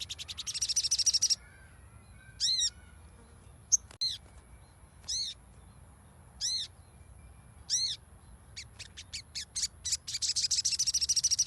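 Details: Crimson sunbird song used as a lure to get a silent bird singing: a fast high twittering trill, then a series of arched, downslurred high notes about one per second, ending in another rapid high trill, over a steady faint high whine.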